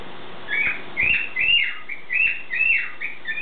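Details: Pet bird's morning whistling: about six arched, slurred whistles in steady succession, roughly two per second, each rising then sliding down, over a faint indoor hum.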